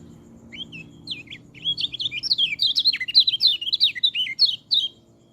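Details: White-eye song used as a tutor to train white-eyes that rarely sing: a fast, jumbled run of high twittering notes sliding up and down, building from scattered chirps into a dense rapid warble lasting about four seconds.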